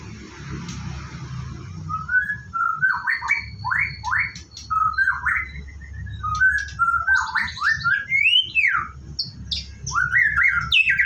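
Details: A white-rumped shama in its morning routine, about to take a bath, sings a lively varied song of rich rising and falling whistles, slurred phrases and short chips, over soft low hum.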